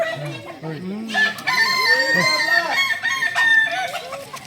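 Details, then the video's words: Kukuak Balenggek singing chickens of Solok practising for crowing performance: soft low clucking notes at first, then loud overlapping crows with long steady high endings repeated to the close. "Latihan prestasi Ayam kukuak balenggek ayam penyanyi asli Solok"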